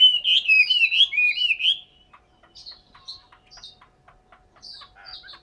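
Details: Chinese hwamei singing a rich, warbling run of looping whistled notes for nearly two seconds, followed by quieter, scattered short chirps and thin whistles.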